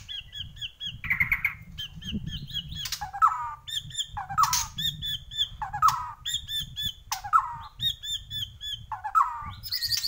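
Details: White-rumped shama, Borneo form, repeating a harsh, buzzy phrase roughly every second, each opening with a rich squawky note and high ringing overtones.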